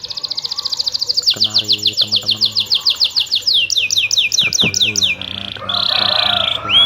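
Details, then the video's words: Canary in full, rolling song with cuit-cuit chirps, played to prompt reluctant canaries to sing: rapid rising high notes that run into repeated downward-swept notes, then a steady buzzy phrase, with faint low voice-like sounds midway. "burung kenari Gacorr ngeroll cuit-cuit!!!!Cocok untuk pancingan kenari malas bunyi,,langsung nyaut!!"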